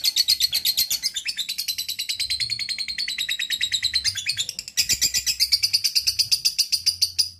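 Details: Lovebird delivering a ngekek, the long chattering song, in strong form: rapid high harsh notes about four per second, unbroken for over four seconds, a brief stumble, then a louder, steadier run to the end.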